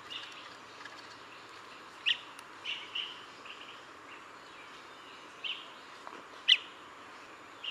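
Blue-tailed bee-eater giving a few short, bright rolling chirps spaced irregularly over a steady hiss of background noise.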